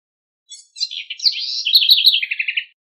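A House Wren sings a quick, bubbly jumble of high chattering notes, ending in a rapid run of repeated trills, about eight per second.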